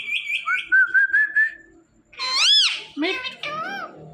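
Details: Indian ringneck parakeet talking on a Thursday night, fast high syllables flowing into a steady whistled phrase, then a loud arching screech-like word and several rising-falling voiced sounds.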